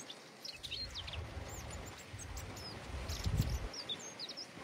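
European robin singing thin, high, fast-changing phrases of sweet twittering notes, partly buried under heavy roaring wind from the storm.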